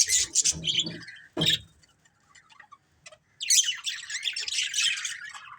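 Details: Colourful pet budgerigars in a family group: an opening burst of chirps and a sharp knock, a quiet gap with faint ticks, then a long run of dense high warbling chatter.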